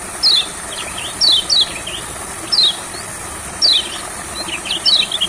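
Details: Olive-backed sunbird in a rice field, brought there to make it sing more. Crisp, falling high notes come in ones and twos, with faint twittering between. An even background hiss runs throughout.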